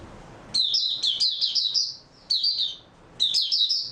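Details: Kept white-eye, in good form after a restful night, 3 March 2022. Three high, rapid, sparkling warbles come about a second apart, each a string of quick rising and falling chirps.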